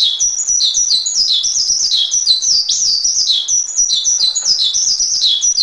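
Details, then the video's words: Master recording of a Javan pied starling: a busy, high song of chirps and short falling whistles, delivered rapidly and continuously at an even loudness. "Masteran Suara Jalak Suren"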